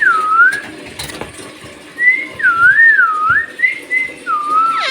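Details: Bhojpuri-talking parrot giving clear whistled phrases that dip and rise in smooth wavy loops, several in a row after a quiet start, with faint room noise and a soft click.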